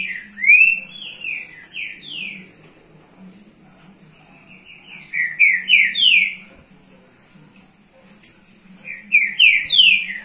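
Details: Green-winged saltator (trinca-ferro) in Rio de Janeiro, played to warm up young birds: loud, clear whistled phrases of quick rising slurred notes about every four seconds, over a faint low hum.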